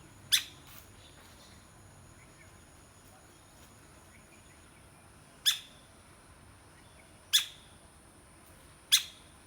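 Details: Woodpecker pecking: four sharp, dry knocks at uneven intervals over ten seconds, each a crisp bright tap with a short ringing tail, against a quiet hiss and a faint steady high tone.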